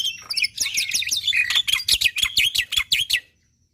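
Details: Black-winged myna singing busily to trigger other mynas' song: a dense stream of squeaky, swooping whistled notes mixed with dry clicks, about three per second, ending abruptly in silence.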